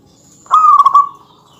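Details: One zebra dove phrase, sung to provoke rival males: a single loud, rapidly pulsed cooing trill lasting under a second, holding nearly level pitch before fading, with quiet surroundings.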